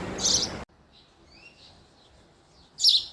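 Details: Male house sparrow singing: a loud, bright chirp at the start, a near-silent pause, then another sharp chirp at the end.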